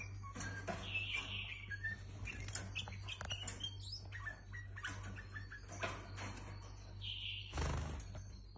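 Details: White-eared bulbul (Iraqi bulbul) gives bright, chattering warbled phrases with a few rich, fluty notes, over a steady low electrical hum in a small room.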